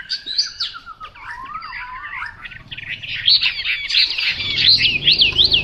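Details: Chinese hwamei singing varied phrases, from lower wavering whistles to bright, high looping notes that grow louder toward the end, with a low rumble in the background.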